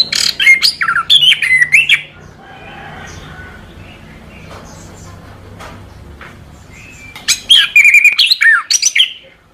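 Orange-headed thrush singing two rich bursts of fast, varied whistled notes with sliding and falling phrases, separated by a quiet pause of several seconds.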